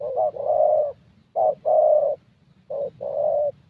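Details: Young Spotted Dove of the 'thổ' type, fairly good voice, at a decoy session in Gia Lai, Vietnam: three paired coos, short then long, over a low background hum.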